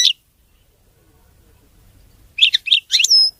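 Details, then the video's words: A European goldfinch sings cleanly: a brief chirp, a long quiet gap, then a lively group of sharp twittering notes ending in a long, thin high whistle. "تغريد ملك الطيور المغردة الحسون (المقنين) نظيف وخالي من الأخطاء"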